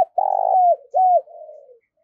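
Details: Decoy spotted dove calling hard to attract wild doves: a long, steady, mellow coo that dips at the end, then a second strong coo trailing into a softer, falling note, repeated in quick succession.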